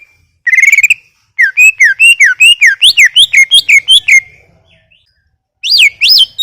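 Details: Greater green leafbird singing energetically: a quick run of rising whistles, then a long sequence of rhythmic slurred notes zigzagging up and down, ending with two loud arched whistles after a pause.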